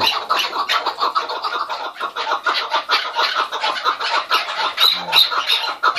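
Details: Raucous keklik hengamesi, a chorus of chukar partridges calling together. Grating chattering notes pour out very fast from many birds, forming a continuous cackling din with a few brief sharper squeaks.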